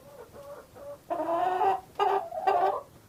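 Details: Soft, low clucks lead into longer, louder, nasal drawn-out calls repeated three times, as from a hen.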